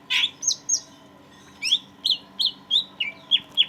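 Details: Caged greater green leafbird in full song, used as a tutor recording to stimulate stressed leafbirds: loud sweeping whistled notes, rising and falling, repeated about every third of a second in two bursts separated by a short pause.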